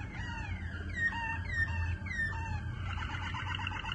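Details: Waterslager canary singing a series of clear, falling whistled slurs repeated about every half second, ending in a faster, burbling rattle, over a steady low hum.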